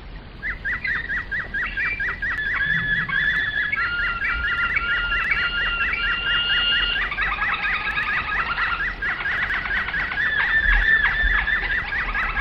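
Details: Domestic canary singing in the Flauta (flute) song style: clear whistled notes and rapid repeated trills, some tones held and sliding, delivered in steady phrases that build in loudness, with faint low background hum.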